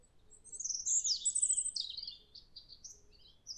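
European robin singing a high, liquid warble of sweeping notes and quick twitters, loud at first, then trailing into softer, thinner phrases over a faint low rumble.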